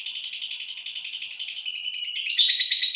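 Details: High, rattling lovebird trill from a female fighter, aimed at provoking other birds; pulsed chatter that grows louder and harsher toward the end.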